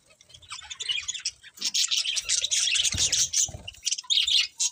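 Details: Budgies building from scattered soft chirps into loud, unbroken scratchy warbling and twittering, with faint low knocks underneath.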